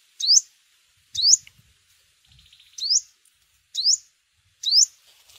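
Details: Five high upslurred chips from a yellow-bellied sunbird, roughly one per second, with a short buzzy rattle between them, used as a lure in bird season.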